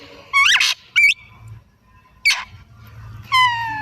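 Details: Oriental magpie-robin in lively afternoon song giving harsh squeaky notes and short upward whistled flicks, separated by pauses, then a steady tonal whistle at the end. A low hum runs beneath.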